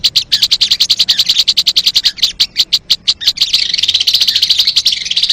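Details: Crested jay, recorded for luring birds: a run of distinct, evenly spaced high clicks, about ninety a minute, shifting after three seconds into a faster, denser buzzing rattle.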